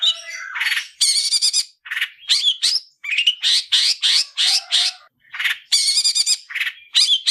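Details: Long-tailed shrike in fighting song style, used as a tutor for training other shrikes: dense, harsh, chattering bursts with buzzy rattles and short whistled notes, delivered in quick separate phrases with brief pauses.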